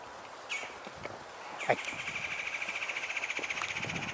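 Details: Red-bellied Woodpecker in late October (23 October 2021), on a damp, cold, wet day outdoors, giving a fast, even, high chattering rattle that runs on for several seconds after a short opening note; first thought to be a hairy woodpecker, then seen and identified.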